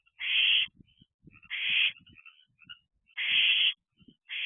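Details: Several barn owl owlets in an owl box late at night in June 2023, calling together in turn: harsh broad hisses of about half a second, four in four and a half seconds, separated by soft scratching and brief chirps.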